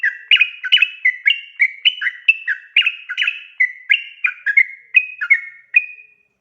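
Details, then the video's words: Yellow-vented bulbul singing a long, lively "ropel panjang" style song used as a lure to prompt other birds to answer: a fast, unbroken chain of bubbly whistled notes alternating high and low, about three per second, in a quiet setting. "KICAU SUARA trucukan gacor ropel panjang pancingan trucukan agar NYAUT bunyi MENJADIKAN trucuk gacor"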